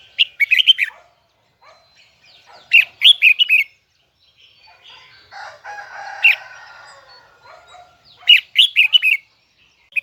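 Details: Red-whiskered bulbul of the Huế type, with a high double twisting voice. Loud phrases of rapid bright whistles are repeated at roughly two-to-three-second intervals, with a softer scratchy warble in between.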